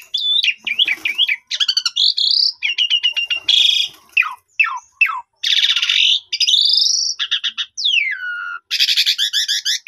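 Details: Asian pied starling lure song used to encourage caged birds to sing their repertoire: varied medley of zigzag whistles, grating buzzy rattles, sharp falling slurs and a long descending whistle before a final burst of harsh chatter.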